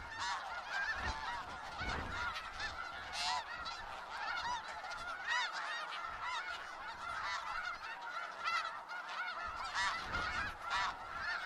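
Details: Huge gathering of snow geese in Skagit Valley, an unbroken clamour of countless honking birds for over ten seconds, with scattered low rumbles underneath.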